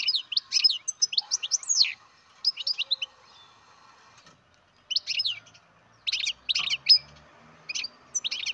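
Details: Young captive-bred European goldfinch giving repeated bursts of sharp, high, descending twittering notes in short groups separated by brief pauses, with faint background hum.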